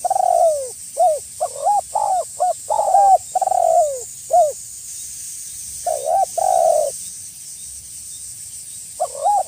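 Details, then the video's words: Spotted dove calling out a rival, a lure recording meant to bring wild doves in: a quick string of about eight hollow coos with a couple of long falling ones, a pause, a rough double coo, then more coos, over faint steady hiss. "SUARA BURUNG TEKUKUR GACOR MEMANGGIL LAWAN AGAR BUNYI"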